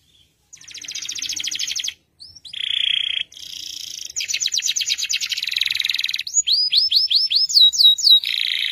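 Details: Long, vigorous canary song for training other birds: dense rattling trills, a brief buzzy note, then rows of rising whistled slurs repeated about twice a second, ending in a buzzy flourish.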